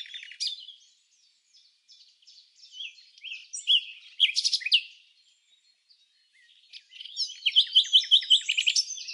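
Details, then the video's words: Red-backed fairy-wrens interacting in the non-breeding season at Samsonvale, Australia: high, thin twittering with scattered trills and chips, ending in a fast reeling run of sharp notes. "Wren singing sound"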